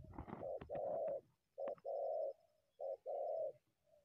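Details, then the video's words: Wild spotted dove drawn out of bushes toward a decoy to attack it; a burst of clattering opens, then three low two-part coos, a brief note leading into a sustained purring coo. "terkukur unik selalu masuk dari semak hajar pikat"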